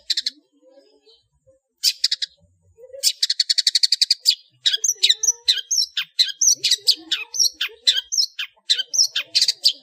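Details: Long-tailed shrike in full 'ngeplong' song, used as a training master for cage birds: brief scratchy bursts, then a fast buzzy rattling trill, then a dense run of harsh chattering notes.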